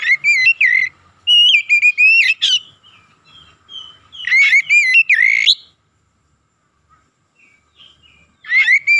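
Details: Oriental magpie-robin, called kacer, in energetic 'gacor' song used as a lure. Rapid runs of loud whistles, twitters and sharp upslurred notes come in long bursts, then a few seconds of near silence before the singing resumes.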